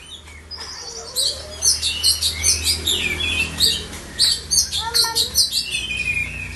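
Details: Kept Oriental magpie-robin (kacer) singing a busy run of sharp high chirps, twittering phrases and slurred whistles over a steady low hum.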